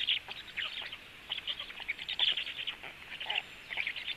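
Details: Female black stork feeding storklets frogs at the nest; quick, scratchy chirping notes sound in irregular clusters with short gaps.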